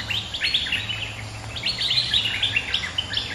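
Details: Resident bulbul answering a rival: quick bursts of bright, chirpy notes that jump up and down in pitch, delivered in rapid clustered phrases over a low background hum.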